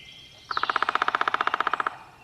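A Downy Woodpecker drums: a rapid, even roll of about twenty crisp taps lasting just over a second, with a faint thin whistle just before.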